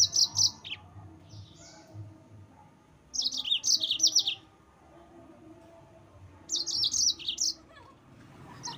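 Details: Yellow-fronted canary singing to provoke rivals: three bursts of quick, high, chirpy notes spaced about three seconds apart, with quiet between phrases.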